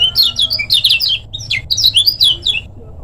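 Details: Lombok lemon-bellied white-eye master song for training birds; dense, bright high twitter of quick swooping notes, delivered in rapid bursts with brief gaps, over a faint low background hum.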